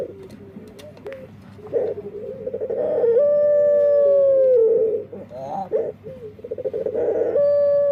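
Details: Cooing of a burung puter, or Barbary dove, said to sound very different from others: a stuttered lead-in, then a long pure sustained note slowly sagging in pitch, followed by another rolling phrase and held tone.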